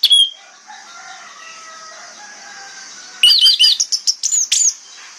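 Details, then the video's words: Orange-headed thrush singing in the morning to coax replies from other thrushes: a single bright note, a quiet stretch with faint distant whistles, then a fast tumbling sequence of high, looping whistled phrases. "PANCINGAN ANIS MERAH PAGI HARI|| ANIS MERAH LAIN AUTO NYAUT"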